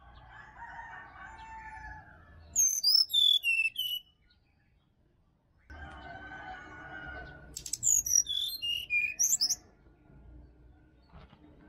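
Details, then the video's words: Sirdadu from Bali, wild in forest, for stimulating caged birds in the morning; two quick descending whistle cascades stand out over continuous lower chirping and warbling of other birds. "SUARA ASLI HUTAN SRDC BALI COCOK UNTUK PANCINGAN DI PAGI HARI SRDC MALAS BUNYI"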